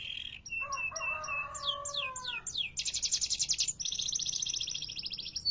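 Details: Canary (kenari) song opening with a low gliding warble, then a run of falling whistled notes and two long, dense, high buzzy rolls; faint hum beneath.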